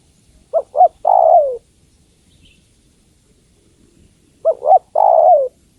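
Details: Calling female spotted dove seeking the male: two phrases a few seconds apart, each two quick rising hoots followed by a long coo that drops in pitch. Silence fills the gap.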